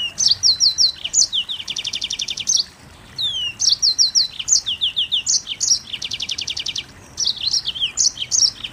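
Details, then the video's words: Mozambique canary singing in the rapid, tightly packed 'nembak rapat' style: bright high chirps and buzzy repeated trill bursts in quick succession, with short pauses between phrases and no other sounds. "Burung Mozambik Nembak Rapat"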